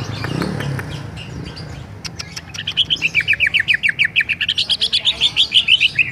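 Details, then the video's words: Bali greater green leafbird giving its rolling ngerol song: a low muffled sound opens, then clicks lead into a long, rapid, steady train of high whistled notes that climbs a little toward the end. "Cucak ijo ngerol"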